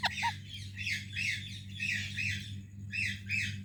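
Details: Parrot greeting another parrot with a rapid run of scratchy, grating squawks over a steady low hum, opening with a short lower-pitched note.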